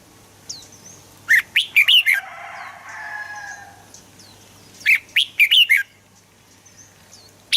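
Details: Red-whiskered bulbul singing two loud, chattering, warbled phrases about three seconds apart, with a soft murmur and faint high chirps from other birds in between.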